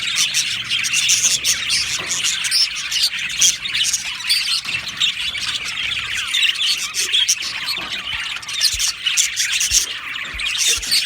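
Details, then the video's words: Budgie colony in an aviary chattering nonstop: many overlapping high chirps, squawks and warbles forming a busy wall of bird noise, with a few sharp clicks near the end. "Australian Budgie chirping sounds"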